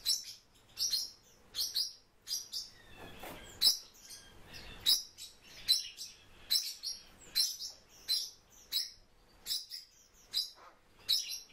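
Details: Captive Warbling white-eye (Zosterops japonicus) calling steadily: crisp, high, squeaky chirps repeated more than once a second for over eleven seconds, with a few faint lower notes and light rustling underneath.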